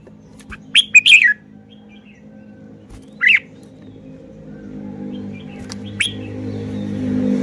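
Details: Caged red-whiskered bulbul showing off its song phrasing: a short cluster of bright, warbled mid-pitched notes, a lone slurred note a couple of seconds later, then a final brief phrase over a steady low hum.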